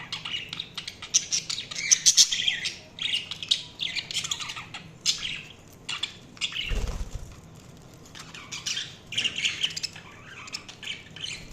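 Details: Chirping budgies produce a busy stream of scratchy warbles and short squawks in bursts, broken by a brief low thump near seven seconds, then the chatter resumes.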